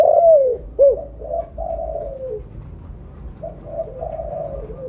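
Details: Lure call of a loud, actively calling spotted dove of the blorok colour variety: a strong falling coo and a short arched note open the clip, followed by quieter, steady mid-pitched cooing phrases.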